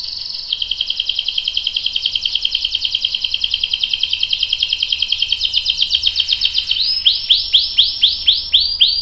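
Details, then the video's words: Canary song used as a prompt to get other canaries singing: a long, fast, even trill rolling steadily for about six seconds, then breaking into slower, repeated rising-falling notes roughly four per second, with no other sounds. "KENARI GACOR NGEROL panjang bagus untuk PANCINGAN dan MASTERAN biar ikut BUNYI | CANARY SINGING"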